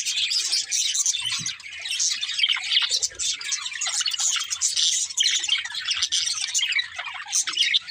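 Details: Several happy pet budgerigars singing and playing: steady flood of high twittering, squeaky chirps and warbling chatter from many birds at once, with faint low knocks and hum in the background.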